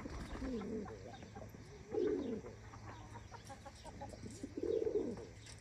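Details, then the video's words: Pigeons cooing in their coop in the morning: three low, rolling coos about two seconds apart, each a throaty warble that rises and falls, over a steady low hum and faint clicks. "Sabah sabah güvercin kümesi"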